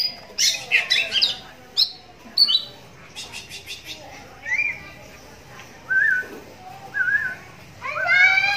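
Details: Captive oriental magpie-robin with a right-eye cataract, its song drawing answers from other magpie-robins; bursts of harsh rapid high notes, then short rising whistles and a final burst of rich layered notes.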